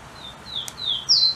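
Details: Golden-crowned warbler, a bird that keeps hopping: a few long, high, thin whistles, one level and the next slightly falling, then a louder note at the end, with a click in between.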